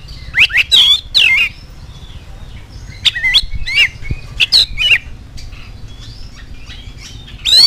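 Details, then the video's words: Singing oriental magpie-robin, used as a lure to make other magpie-robins sing: scattered sharp chattering and whistled notes in short groups, over a steady low background hum. "KACER ANDA LANGSUNG NYAUT NGOBRA IKUT GACOR DENGAN PANCINGAN KACER GACOR INI"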